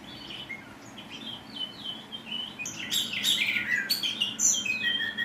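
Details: Oriental magpie-robin singing a rough, harsh style of song: scratchy slurred whistles and buzzy notes high in pitch, growing louder and denser toward the end, over faint background noise.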